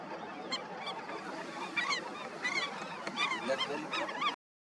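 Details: Indian skimmers in a breeding colony, many birds giving rapid, overlapping nasal yelping calls that swell in intensity, then stop abruptly at the end.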